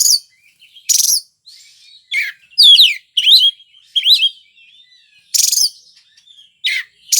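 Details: Oriental magpie-robin (kacer) singing energetically (gacor): scattered harsh buzzy blasts between twisting whistled notes and quick downward trills, with short silent pauses.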